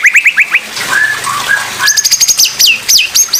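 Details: Oriental magpie-robin, 'pastol' song style, recording meant for other magpie-robins to learn from; a few rising whistles, brief lower slurred notes, then a burst of very high, sharp, buzzy rapid notes with swooping descending whistles.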